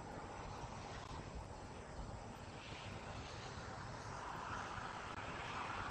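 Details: Broad engine drone from a passing aircraft or vehicle fills the recording, with no animal calls.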